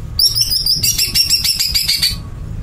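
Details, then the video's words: Dense, continuous high chattering song of a greater green leafbird, rapid chirps packed together for about two seconds with a brief pause before a louder, fuller run. "Cucak ijo melet belum tentu O.B (Over Birahi)"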